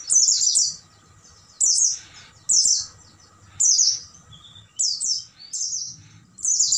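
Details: Oriental white-eye singing at night, recorded as a master song for caged birds: very high, quick chattering bursts, each descending, spaced roughly a second apart, faint low murmur throughout.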